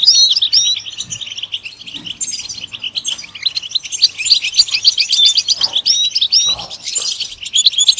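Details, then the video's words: European goldfinch song used for stimulating a bird to sing: a rapid, continuous twittering of high tinkling notes and quick trills, with short whistled slurs woven through and a few faint low thumps beneath. "Comprehensive guide to stimulating and singing the goldfinch"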